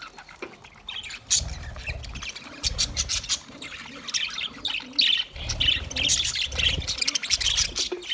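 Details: Budgies calling in high, chirpy, twittering phrases that grow busier and louder toward the end, with low voice-like murmuring in the background.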